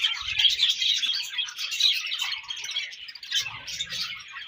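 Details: Budgerigars in breeding season chatter continuously, a dense high warble of fast chirps and squeaky twitters with brief louder peaks, along with a few faint low thumps.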